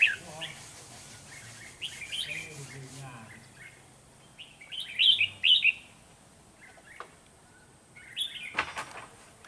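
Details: Decoy red-whiskered bulbul used in trapping, singing combatively toward rivals, recorded 13 November 2018: clusters of quick, chirpy whistled notes, loudest midway, with a faint human voice early on and a sharp knock near the end.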